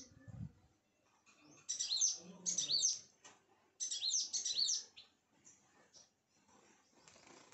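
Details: Sunbirds at a home give calls: two bursts of high, thin, tinkling chirps around a second long, separated by a short pause, with faint soft rustling between.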